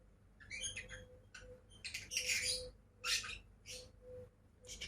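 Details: Two caged pet lovebirds heard quietly, with short high squeaky chirps and a few harsher scratchy squawks spaced about a second apart, over a faint steady hum.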